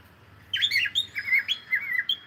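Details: Singing cockatiel, playing: a single phrase of bright whistles, starting with a rough high note then several descending slurred tones, lasting under two seconds.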